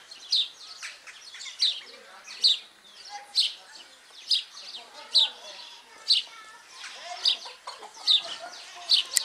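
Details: Superb starling repeating sharp, high chip notes a little over once per second, each a brief bright squeak, with softer scratchy chatter between the calls.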